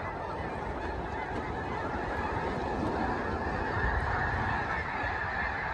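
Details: A huge flock of Snow Geese at Limestone Bay in north Alabama, recorded on an iPhone: a dense, continuous roar of overlapping honking calls with no single voice standing out, steady throughout, over a low rumbling background.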